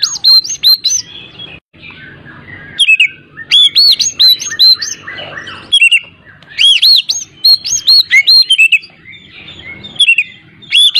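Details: Oriental magpie-robin song used as a lure to make a reluctant bird start singing: loud, rapid, varied whistled phrases with sharp upswept and looping notes, broken by short pauses, over faint background hum.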